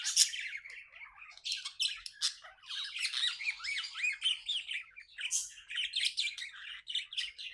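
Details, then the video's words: Happy budgies indoors giving loud squawks mixed with a steady run of rising-and-falling warbled chirps and scratchy chatter, the rhythm dense and uneven. "Happy budgie chirping sounds"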